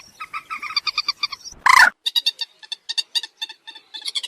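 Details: Common moorhen giving rapid trains of sharp, clicky notes, first a fast steady run, then a loud harsh burst, then irregular clusters of quick ticking calls to the end.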